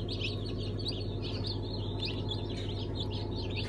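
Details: Just-hatched chicks from a 1 September 2019 batch of Brahma, Sultan, İspenç and Araucana breeds give dense, rapid high peeps, roughly three per second, with a steady low droning hum beneath.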